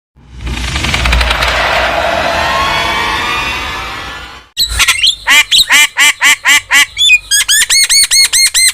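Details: Starling in vigorous song, from a training and lure recording for kept starlings: a long harsh rasping screech lasting four seconds, then a rapid series of clear whistled notes with bright harmonics, repeated about twice a second.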